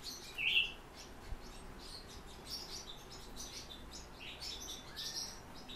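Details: Song thrush (Turdus philomelos) nestlings beg for food as the father brings it: a soft rush of thin, high, hissy chirps with one brighter squeak near the start, over faint background hum.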